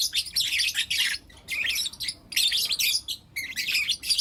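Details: Four young lutino lovebirds chirp in the morning, trading harsh, high chattering bursts of about a second separated by short quiet gaps.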